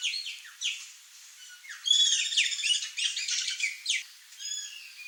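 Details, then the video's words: Wild curl-crested jays (Cyanocorax cristatellus, gralha-do-campo) in Brazil give a run of harsh, scratchy, high-pitched calls and chattering notes, several birds overlapping in irregular bursts. "CURL-CRESTED JAY (CYANOCORAX CRISTATELLUS), GRALHA-DO-CAMPO"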